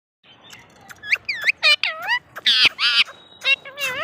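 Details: Talking parrot (tota): a series of loud, harmonic squawks and nasal chattering syllables, some with upward and downward bends, coming in uneven bursts, with short harsh blasts in the middle.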